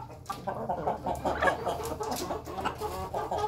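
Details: A flock of Ayam Ketawa chickens eating together in their coop: dense murmuring clucks and brief rising chatter notes overlapping throughout, mixed with feeding clatter.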